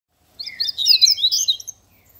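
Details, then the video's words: Double-collared Seedeater (papa-capim) from Minas Gerais singing the grego style: a dense burst of rapid, high twittering notes lasting just over a second, on an otherwise quiet background. "Papa capim grego de minas"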